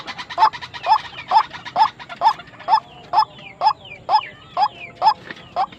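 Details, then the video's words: Tame but aggressive white-breasted waterhen calling in a regular train of short, harsh notes roughly twice a second, with thin upward-sweeping chirps from other birds in the background. "burung ruak ruak jinak tapi galak"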